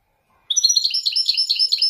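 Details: Caged male Widani European goldfinch singing Marrakech nzoulat: after a short quiet moment, a continuous pulsing run of high, liquid twitters and buzzy trills.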